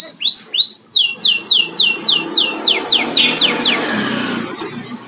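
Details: House canary, not a show bird, delivering a long accelerating series of high swooping notes that fade into a faint hissy background, with a low steady hum underneath.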